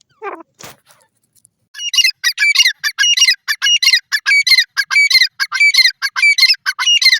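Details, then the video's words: Grey francolin (Sindhi teetar) calling: after a brief squeak and a click, a fast, shrill series of harsh, high notes repeats steadily for about five seconds with no other sounds. "sindhi teeter ki awaz,gray francolin bird sound"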